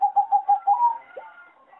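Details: Farm-bred zebra dove of a singing line kept for competition, noted for a poor melody: five crisp, evenly spaced coo notes, then a longer drawn note fading into quieter cooing from other doves.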